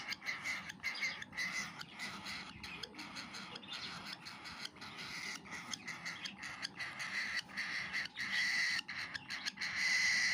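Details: Baby cockatiel taking food, giving steady rapid raspy begging calls, pulsed about three times a second, with a longer harsh note near the end.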